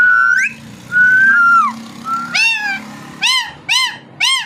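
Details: Flat whistled notes from a parrot lead into a string of four loud arched calls, roughly one every half second, each rising and then dropping back.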